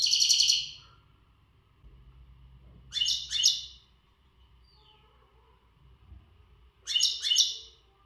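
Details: Untutored Gharb goldfinch in breeding-readiness singing condition, giving three brief bursts of high, buzzy, tinkling notes separated by pauses of several seconds, over a faint low hum.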